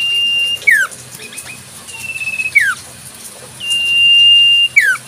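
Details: Common Iora recorded in the wild, giving sustained flat whistles that each drop suddenly at the end, three phrases in quick succession.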